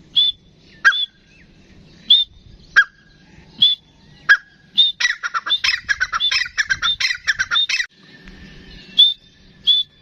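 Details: A full-size pet grey francolin gives sharp, ringing single notes about once a second, then a fast, harsh run of repeated shrill notes before the single notes resume.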